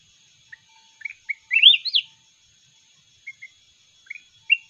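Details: Mountain red-whiskered bulbul in a singing contest: scattered soft chirps build into one loud, sweet, looping warbled phrase, followed by a few short quiet notes.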